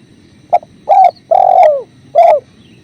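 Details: Spotted dove recorded near a clear river: a short clipped note, then a coo, a long falling husky coo and a final descending coo, over soft running water.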